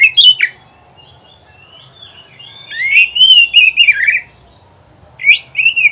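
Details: Oriental magpie-robin song meant for teaching caged birds: a loud opening whistle, a quiet gap, then a long fluid warbling phrase of sliding notes, followed by another pause and two sharp whistled notes.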